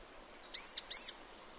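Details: Two bright, high-pitched arched chirps in close succession from a sunbird in natural habitat, set against a soft hiss.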